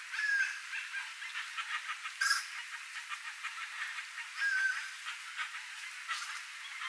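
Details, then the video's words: Chestnut-bellied guan (Penelope ochrogaster), a rare, endangered bird endemic to Brazil, with a flock calling in its natural habitat: harsh, rapid pulsed honking in bursts, loudest near the start, mid-clip and toward the end, plus a few thin whistles. "Jacu-de-barriga-castanha: Canto do Bando"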